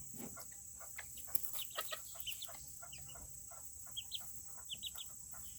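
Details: Tiny Serama chickens in a coop on a cool Tuesday keep up soft, scattered chatter: brief high chirps and clipped clucks from several birds, with a constant thin whine in the background.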